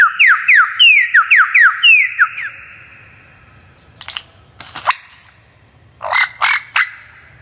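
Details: Magpie-robin singing, recorded for training other birds: a quick series of downward-slurred whistles, a pause, then sharp clicks and a high whistled note with bursts of scratchy, chattering notes.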